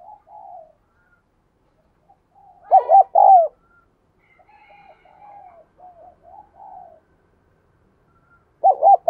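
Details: Decoy spotted dove singing to excite males: soft warbled coos lead into a loud double-hooted phrase, more quiet murmuring coos follow, and another loud phrase starts at the end.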